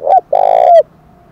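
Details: Spotted dove giving a fighting challenge coo in the 'thổ đồng' voice style: a short clipped note, a brief pause, then a long, steady, mellow coo that bends downward at its end.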